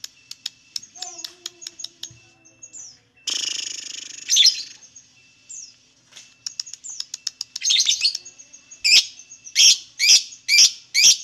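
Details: Lovebird song meant to make lovebirds sing: rapid thin ticking notes, a harsh buzzy burst, fast twittering chatter, then a string of loud high chirps near the end.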